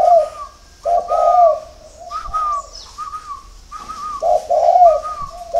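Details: Early-morning spotted dove song from a dove farm in Ba Vì, Hanoi, Vietnam: two loud, rolling low coo phrases and quieter answering coos, with a steady higher hum running between them.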